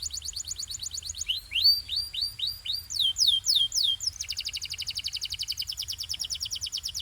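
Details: Canary song used for training: quick whistled trill, then slower upward-curving notes, a run of loud descending sweeps, and a long steady rapid rattle of tiny repeated notes to the end.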